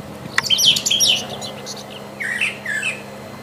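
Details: Brown Thrasher in the wild, singing vigorously: a dense cluster of bright, scratchy chirped notes, then a short pause and two lower, slurred downward phrases.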